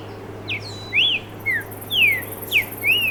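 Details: Streaked saltator song of six crisp whistled notes about every half second, alternating downward slurs and arched upswept phrases, clear over a low steady hum.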